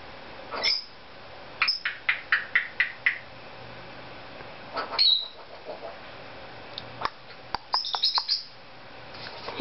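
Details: Pet Cape Parrot in a room making silly noises: a rapid run of dry clicks, a short sharp squawk in the middle, then another burst of clicks and high chattering notes.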